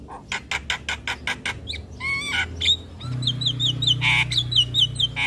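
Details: Javan myna master song with full fill-ins, meant for young birds to learn: a run of seven sharp, evenly spaced broadband chips, then rising whistled notes and a fast chain of high, repeated slurred whistles over a low background hum.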